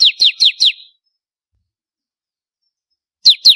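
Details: Bar-winged prinia singing for contest-bird tutoring: four quick, shrill notes that each slur downward, a long pause, then two more identical chips at the end.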